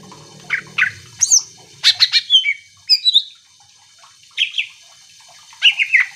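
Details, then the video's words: Greater green leafbird singing to stir other leafbirds into answering: short bursts of clicking chips and slurred whistles separated by pauses, a faint low hum at the start. "Cucak ijo gacor AMPUH bikin burung mu langsung emosi ikutan bunyi"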